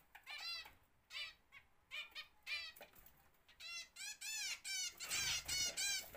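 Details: Zebra finches bred at home in a free-flight cage give rapid, nasal, trumpet-like beeps, about three per second, overlapping as if from several birds, with faint wing flutters.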